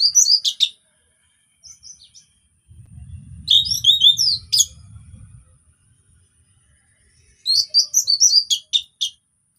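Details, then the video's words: Orange-headed thrush singing calmly as a lure for birds that have stopped singing: clusters of rapid high chirps and trills, separated by pauses, with a soft rustling noise in the middle. "KICAUAN SANTAI ANIS PEMANCING ANIS MACET BUNYI"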